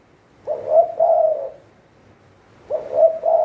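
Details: Spotted dove used as a trapping decoy cooing twice: each phrase a short run of low, even, hollow coos, separated by a quiet gap of about two seconds.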